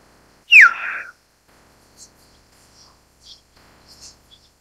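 A Common Hill Myna gives one loud, rich whistle that slides steeply downward, followed by a few faint, high chips.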